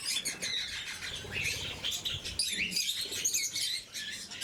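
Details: A group of blue mutation lovebirds calling during morning feeding: continuous high twittering and sharp squeaks, some rising slurs, with wing flutters and soft rustling noises beneath.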